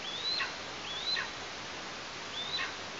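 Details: Eastern imperial eagle chick at a nest in Tatarstan, 16 August 2023, with parents bringing prey: three thin whistled calls, each rising then dropping sharply, spaced irregularly against a steady hiss.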